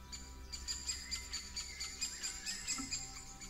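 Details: Hawfinches visiting a bird feeder set up at a forest edge: short, sharp, high ticking calls repeated about every quarter second, over a steady low hum and faint chatter of other birds.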